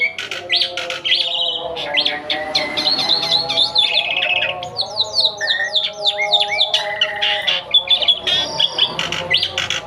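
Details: Javan white starling singing energetically right after bathing: a loud, dense, continuous jumble of high whistles, sharp chirps, rising and falling slurred notes and harsh squawky phrases, with hardly a pause.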